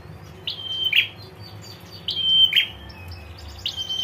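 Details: A female prinia's ngetir call, meant to make males respond: a dropping note slides into a flat thin whistle and a short harsh burr, repeated twice, with a third call beginning at the end.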